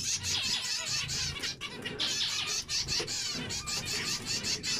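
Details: Busy zebra finch flock chatter: continuous high buzzy notes overlapping densely, with short dips in loudness every second or so.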